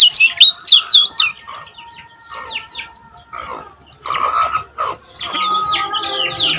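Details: Common iora from Lombok, song used to prompt other caged ioras to sing: an opening flurry of bright, loud, falling chirps, then quieter spaced notes and harsher chatter, and a second run of sliding chirps near the close.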